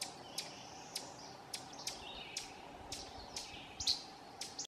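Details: Ovenbird scolding at Silvio O. Conte National Fish and Wildlife Refuge, Essex County, Vermont, on June 18, 2016: sharp, dry chip notes repeated about every half second, roughly nine in a row, over a faint steady low hum and soft distant bird notes.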